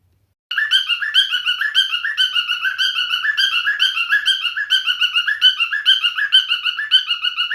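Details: Male cockatiel in continuous song, a fast, steady stream of warbled, chattering whistled notes repeated for several seconds without a break.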